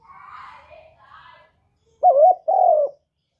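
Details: Spotted dove song used as a lure for other doves, a gurgling two-part coo near the end after soft murmuring speech-like sounds in the first half.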